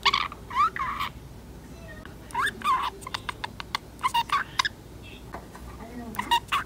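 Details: Ten-month-old female budgerigar, a pet, talking by mimicking another budgerigar's speech: bursts of warbled, speech-like syllables with buzzy sweeps and clicks, separated by short pauses, in a quiet room.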